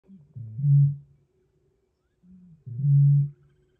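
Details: A Eurasian bittern in the Biebrza Marshes, Poland, booms: two deep, hollow, foghorn-like booms about two seconds apart, each preceded by a short grunting intake.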